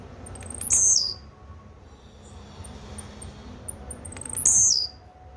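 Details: Two brief, sizzling high-pitched songs from a Blue-black grassquit, nearly four seconds apart, with faint scattered high ticks between them.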